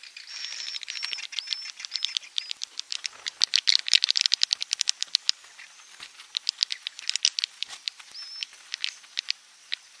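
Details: Swiftlet 'inap' roosting sound: fast dry clicking and rattling chatter in dense irregular runs, with short high tweets repeated through the clip and a faint steady high tone behind.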